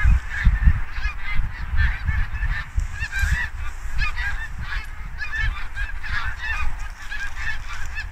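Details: Mixed flock of Canada geese and Snow geese gathering for autumn migration in Quebec, Canada, October 2022, as the ground begins freezing at night; many overlapping nasal honks continuously, with steady low wind rumble underneath.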